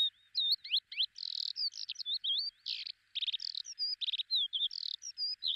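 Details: Lesser short-toed lark in Belchite, Zaragoza, Spain, July 2019, delivering a rapid, continuous jumble of high chirps, slurred whistles and buzzy rattling trills with almost no pauses.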